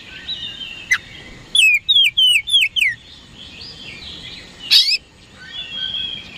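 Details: Oriental magpie-robin in vigorous song used to bait rival birds: a crisp cracking note, a rapid sequence of five slurred whistles, then a harsh sharp burst followed by soft warbling.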